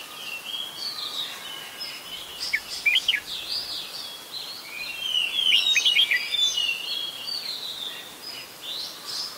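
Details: In Ubon Ratchathani, Thailand, on 16 December 2020, an adult red-whiskered bulbul gives quick chirpy notes early, then a louder run of slurred whistles, over a dense chorus of other birds.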